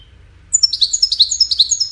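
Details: Bright, liquid twittering from a European goldfinch, a rapid string of high chirps and short slurred notes delivered in quick succession after a brief pause, with no other sounds.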